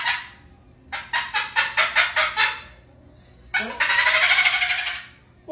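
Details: A pet cockatoo named Tango makes a rapid run of harsh, chattering clicks, then a long rasping squeal, mimicking a dolphin.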